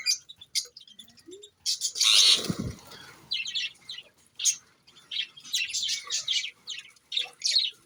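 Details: Pet parrots in a group, chattering with sharp high chirps in scattered clusters. A loud rushing burst near the middle may be wing flapping, followed by renewed rapid twittering.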